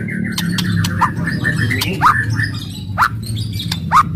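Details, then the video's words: Agitated White-rumped shama song used to stimulate other birds: a string of short falling whistles, then loud downward-slurred notes about once a second, over a strong low background hum. "KRETEKAN KERAS & TEMBAKAN MURAI BATU FASTOL.//, ASLI SUKSES MERANGSANG EMOSI"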